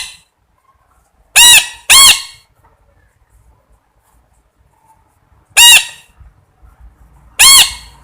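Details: Parrot gives loud, piercing arched squawks in two pairs and one single call, separated by long silent gaps.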